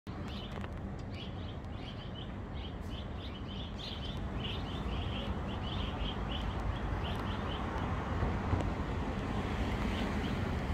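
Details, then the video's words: A Red-rumped swallow (Cecropis daurica) tweets in flight, giving short, high chirps in quick succession, about three a second, over a steady low rumble of wind or traffic. "סנונית הרפתות עפה ומצייצת The Cecropis is flying and tweeting"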